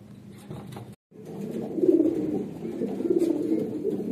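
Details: Red Lahore Siraji pigeons, a fancy domestic breed. Soft murmuring, a brief silence, then loud, deep, bubbling coos that swell and roll continuously to the end.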